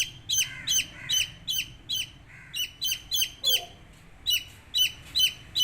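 Chicken chicks give high, shrill peeps that slur downward, about two or three each second in a steady run, over a faint background hum.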